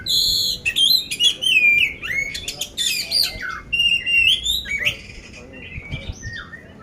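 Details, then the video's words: Magelang, Central Java: a poci oriental magpie-robin ready for competition sings coarse-filled song, with dense harsh bursts and looping whistles, gradually thinning to softer, sparser whistled notes near the end. "poci gacor isian kasar"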